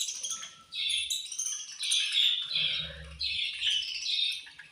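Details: Pet budgerigars at feeding time, described as angry while eating, give dense, overlapping high chirps and squawky chatter that rises and falls in bursts, with faint low thumps beneath.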